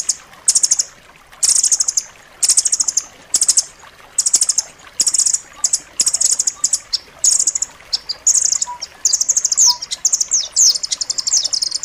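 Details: Striated grasscreeper song for teaching pet birds: rapid, piercing high trills in close-packed bursts, nearly continuous chattering later with a few quick slurred notes and a faint low background.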